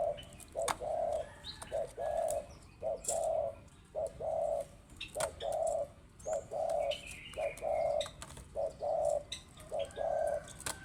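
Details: Spotted dove singing actively: soft, low, hollow coos repeated steadily about once a second in short series, with faint chirps of other birds and light outdoor background noise.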